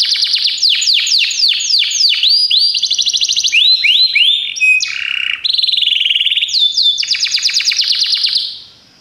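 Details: Song of a Belgian canary meant to train canaries: rapid cascading downward sweeps, short rising slurs, a brief low buzzy note, then another long run of sweeps before fading out.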